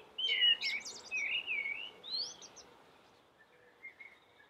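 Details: Common blackbird singing with a melodious voice: fluted warbling phrases, some sliding up and down, each ending in a thin, high twitter. A quieter, softer phrase follows after a short pause.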